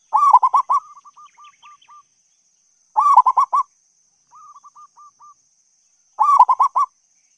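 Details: Local zebra dove song used as a lure to attract other doves. Loud bursts of quick staccato coos trail off into softer clipped notes, and each phrase repeats about every three seconds over a faint steady high hiss.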